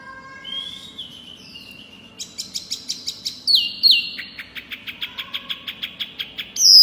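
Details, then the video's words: Loud, persistent Pygmy cupwing song opening with drawn-out thin whistles, then bursts of fast stacked chirps, a strong descending slur and a steady train of high clicking notes. "Si Kecil Wambi Mini Gacor Suara Keras Lantang Jos"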